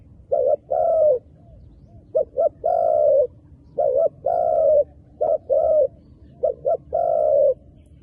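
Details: Wild dove cooing persistently: repeated phrases of two or three short hoots ending in a drawn-out falling coo, five phrases in close succession with only brief pauses, over a soft steady hum.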